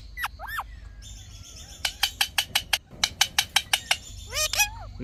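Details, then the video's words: Indian ringneck parrot talking: two quick rising-falling squeaky notes, then a thin high whistle, a rapid run of about ten sharp clicks, and closing wavering nasal syllables. "Funny Talking Indian Ringneck Parrot"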